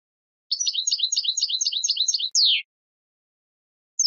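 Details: European goldfinch song on a clean recording: a fast, even string of high twittering notes for about two seconds, ending in a loud downslurred note. A single short note follows after a pause. No background noise.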